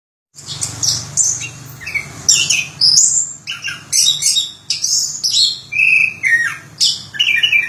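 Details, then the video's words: Orange-headed thrush singing a rich, varied song of high whistled and buzzy phrases, some sliding down, with short gaps between bursts and a faint low hum beneath. "Suara Burung Anis Kembang Durasian"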